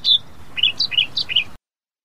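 Australian reed warbler gives a quick run of about eight sharp, chirpy notes, alternating higher and lower pitches in under two seconds, then stops.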